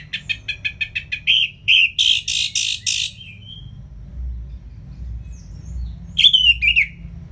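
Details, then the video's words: Orange-headed thrush in ngeplong song: a quick string of sharp repeated chips building into loud, harsh buzzy notes, a long quiet gap, then a brief final flurry of slurred whistles. "ANIS MERAH Ngeplong"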